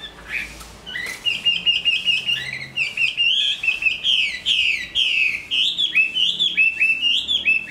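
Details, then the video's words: Large caged Chinese hwamei, described as a strong singer and fighter, moulting into new plumage, delivering a loud continuous run of rising and falling whistled slurs, quick varied notes repeated more than twice a second. "Họa mi bộ to hót tốt"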